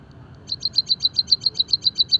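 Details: Java sparrow, from a masteran recording meant to get birds singing: after a brief quiet, an even train of about fourteen high, short clicking notes spaced roughly eight per second.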